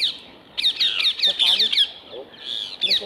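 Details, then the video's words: Rose-ringed parakeets feeding on apples set on a wire mesh; harsh, high squawking calls in quick rapid bursts, a dense run of screeches then a short pause and a few more shrill cries. "PERRUCHES à COLLIER, cris et repas aux pommes"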